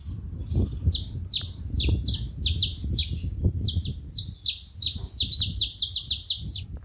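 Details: Saffron finches gathered at a feeding spot keep up a lively, continuous chatter of high, steeply down-slurred chips, several birds overlapping, with low rumbling noise beneath.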